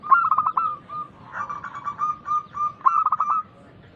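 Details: Loud local zebra dove song, played as a lure so other doves answer: a rapid rolled coo burst opens, a buzzier stuttering trill fills the middle, and another rolling burst follows near the end before the song falls quiet.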